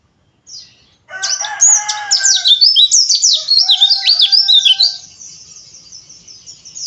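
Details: Oriental white-eye lure recording meant to prompt rough 'ngeriwik' chattering: a dense run of high, thin, rapidly warbled twitters with quick rising and falling notes lasting about four seconds, over faint lower tonal bands, then a quiet tail.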